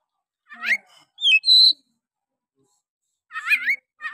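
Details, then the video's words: Oriental magpie-robin in the rough 'nembak' singing style, used to stir other magpie-robins: a few separate phrases, a buzzy note, then a clear level whistle, a pause and a wavering chatter. "Pancingan Kacer malas bunyi. bangkitkan emosi Kacer lain"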